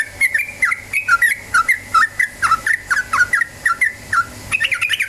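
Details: Trucukan, the yellow-vented bulbul, singing as a lure to start birds calling: steady stream of rich, falling warbled notes at about two per second, ending in a quicker, higher flourish.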